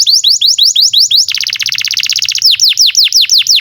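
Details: Canary song for tutoring young canaries and reviving silent birds: a series of loud downward-sweeping whistles, then a fast dense trill of rapid notes, then slower falling whistled sweeps again.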